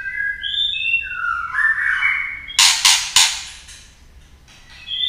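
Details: Female white-rumped shama singing to excite males: clear whistled notes sliding up and down, followed by harsh, rasping bursts and then a soft whistle at the end.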